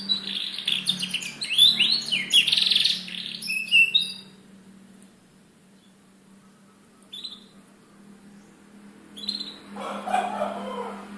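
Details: Young canary kept as a cage bird, sung to coax chirping: a dense burst of bright high twitters and trills for four seconds, near-silence broken by two short chirps, then a louder mixed twitter, with a constant low hum.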